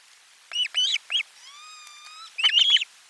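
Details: Lunchtime fish delivery at an Osprey nest, 12 July 2022, live camera: three shrill, bent whistled yelps, a flat, drawn-out harmonic tone of about a second, then a tight cluster of loud overlapping whistles.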